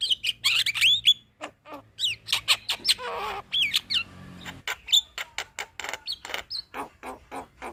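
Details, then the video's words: Javan myna in chattering song, a master recording for teaching other birds: rapid mixture of whistled slurs, clicks and a brief harsh rasp, delivered in quick uneven bursts without long pauses. "Burung Jalak Kebo Gacor Ngoceh Bikin Ribut Semua Burung- Masteran Burung jalak"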